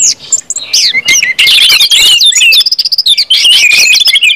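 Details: Orange-headed thrush singing 'ngeplong' to get other birds singing. Fast, busy sequences of short whistled slurs and chirps come in quick succession, some notes repeated in rapid runs.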